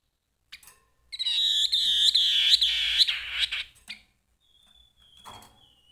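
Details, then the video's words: Loud, sustained harsh chatter from a Grey-headed babbler in full song, a rapid rattling run of rough notes lasting over two seconds, with a thin, faint whistle trailing afterwards. "Kicau Burung Tepus Kepala Kelabu Gacor"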